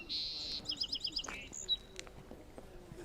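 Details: A territorial Song Sparrow in forest at Birch Bay State Park, north Puget Sound, sings after coming up in response to pishing: buzzy opening note, quick bright repeated chips and closing trill, with soft speech underneath.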